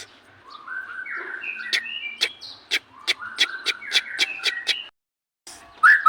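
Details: White-rumped shama in energetic song: rising and falling whistled phrases interlaced with a fast series of sharp, clicking chips, a brief silent break, then a final bright whistle.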